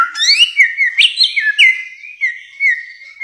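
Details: Bare-throated whistler song in a long recording: loud, clear whistled notes that swoop up and drop back, then a run of level and gently falling whistles at an even pitch, several phrases in quick succession.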